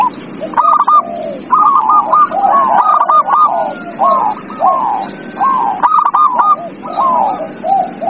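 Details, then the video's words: Zebra dove song meant to trigger a silent dove to sing: continuous overlapping cooing phrases, bright clipped notes mixed with lower slurred, descending coos, suggesting more than one dove calling together. "Pancingan perkutut paling ampuh | perkutut males bunyi"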